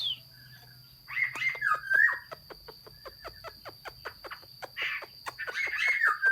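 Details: Hót xuý style song of a Chinese hwamei, dated 15.06.2021: brief slurred whistled phrases open and close the passage, separated by a long series of sharp, regularly spaced clicks, over a faint low hum.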